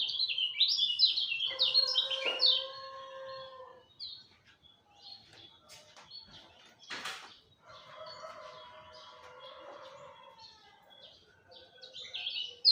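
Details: Dawn song of a lemon-bellied white-eye: quick high twittering bursts at the start and close, separated by quieter gaps with lower drawn-out tones, possibly a rooster crowing, and a sharp flapping noise.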